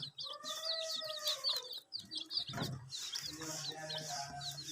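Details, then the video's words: Chicks chirping while drinking water on a veranda: a run of high, quick peeping notes over background clatter and low rumbling noise. "Silly Chicks Chirping Sounds"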